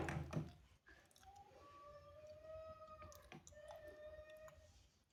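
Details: Rooster crowing on a cool morning: a long, drawn-out harmonic call, stepping up in pitch before holding a steady tone for several seconds, with a sharp knock at the start and faint background noise.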